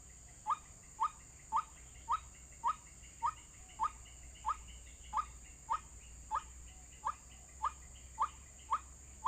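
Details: Played as an MP3 lure for trapping, a white-breasted waterhen gives clipped, rising "kook" notes at a fast, even pace, about sixteen in a row, over a low hum and steady hiss.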